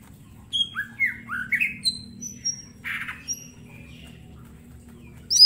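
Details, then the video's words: Mini green leafbird singing constantly with sharp shot-like notes, meant as master song: scattered whistled notes, some falling slurs and a burst of harsh chatter, over a low background hum. "Cucak ijo mini gacor full tembakan bongkar materi"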